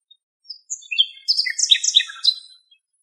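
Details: Wild nightingale in Greek nature, filmed from far away: after a few soft, scattered whistles it bursts into a dense, jumbled run of high chattering notes and quick trills, then fades out.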